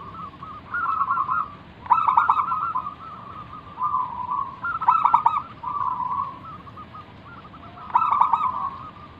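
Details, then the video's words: Local zebra dove in sustained song, used to stir other doves into answering; loud pulsed stuttering coo bursts recur roughly every two to three seconds, linked by softer rolling purrs. "burung perkutut lokal Gacor manggung - pancingan pikat paling Ampuh mengundang bunyi"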